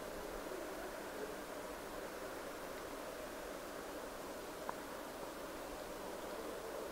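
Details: Steady hissing, rustling background like wind or distant surf, with a single soft click; no animal call heard.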